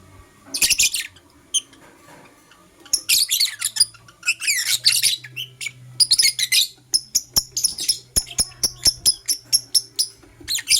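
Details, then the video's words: A Blue Opaline lovebird sings in the morning with loud, shrill, high chirps. Harsh chattering bursts give way to a run of short, sharp notes repeated quickly, over a faint low hum. "Lovebird Chirping Sounds - LoveBird Sings"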